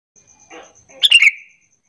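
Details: Sooty-headed bulbul calling to lure other bulbuls into answering; a soft rustling burst precedes one quick, liquid, descending chirpy phrase, with a faint high whine running throughout.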